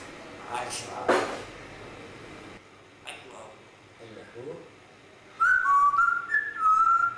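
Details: Grey parrot making soft scratchy and clicking noises, then a clear whistled phrase of stepped tones that jump up and down, repeated twice toward the end.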